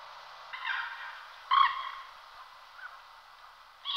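A common moorhen gives two harsh, croaking calls about a second apart, with a third starting as the clip ends; the background is otherwise quiet.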